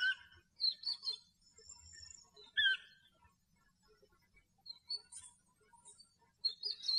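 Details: European bee-eater recorded in its natural habitat in Greece: scattered rolling, burry chirps, some overlapping, separated by quiet gaps, with a faint low rumble in the background.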